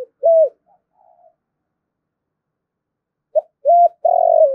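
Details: Spotted dove calling in the 'thúc' style used to lure wild birds to fight. Low cooing notes come in fragments: a short coo and a flat note, a pause, then a short coo, an arched note and a long falling coo.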